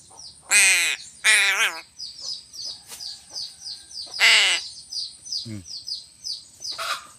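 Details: Harsh, rasping caws from a crow as it is fed fish: two close together early on, then one more a few seconds later, over a constant bed of high-pitched chirps from other birds.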